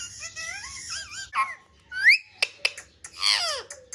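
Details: Parrot playing with a mobile phone, producing wobbling trilled whistles that slide up and down, then a rising swept note, sharp clicks, and a final harsh descending squawk in a quiet room.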